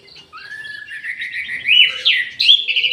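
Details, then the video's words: Orange-headed thrush in an aviary singing vigorously: a long flowing phrase that starts with a steady whistle, then builds into louder, tumbling warbles and sharp rising notes. "ANIS MERAH GACOR"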